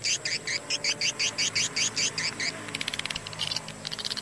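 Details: Swiftlet attraction call played as a lure in Gorontalo: rapid, regular series of sharp chirps, about two and a half per second, then a faster burst of clicking pulses, with faint speech in the background.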